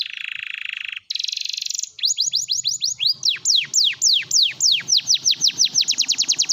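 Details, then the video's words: Canary song used as a prompt for silent canaries: a low buzzy rattle, then a higher rattle, followed by a series of steep falling notes that quicken into a fast high trill, with a faint low hum. "kenari gacor || pancingan kenari macet bunyi"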